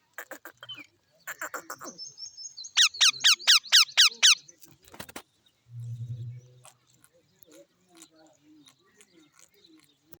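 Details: Green parrot, with a baby parrot being fed, gives short squeaky chirps, then a run of about seven loud, harsh calls, each sweeping steeply downward, about two per second; a brief low hum follows, then faint scattered squeaks.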